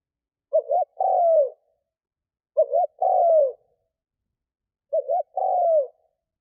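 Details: Spotted dove, a decoy bird used as a lure to draw wild doves, cooing three times, about every two seconds. Each phrase is a short double note followed by a longer, low, falling coo, with silence between.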